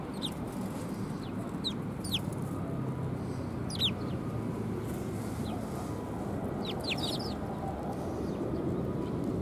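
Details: At Tenmangu shrine on 18 December 2020, sparrows coming for food give thin, high chirps in small groups, with a brief flurry of notes near the end, over constant low background noise.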